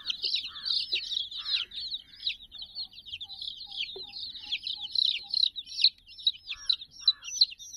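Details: Flock of sixty fluffy chicken chicks jostling around a cuddly toy dog; loud, piercing peeps tumble over one another nonstop, bright and down-sweeping, with scattered quieter low chirps.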